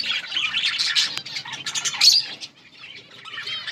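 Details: Budgerigars in a breeding colony, many birds chirping at once: dense overlapping warbles, squawks and twittering notes for about two seconds, then quieter scattered chatter with a few whistled upslurs.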